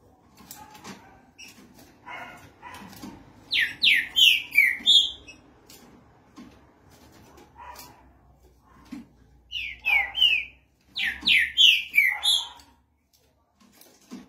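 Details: Green-winged saltator delivering three loud phrases of rapid, descending whistled notes, spaced several seconds apart, over a low humming background and scattered clicks.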